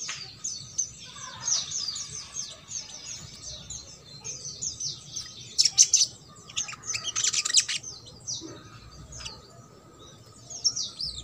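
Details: Trotol song of the sogok ontong, used to get silent birds singing: quick high descending chirps in runs, with two louder buzzy bursts midway and a quiet humming background.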